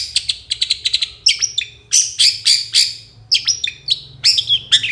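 Long-tailed shrike giving a fast, chattering song of sharp chirps and high scratchy notes in quick bursts, with brief pauses between phrases.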